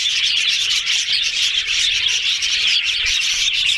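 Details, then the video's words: Yellow budgerigars chattering happily in a dense, continuous high warble of fast chirps, squeaks and twittering notes, steady in loudness throughout with no pauses. "Yellow Budgies Talking Sounds Happy"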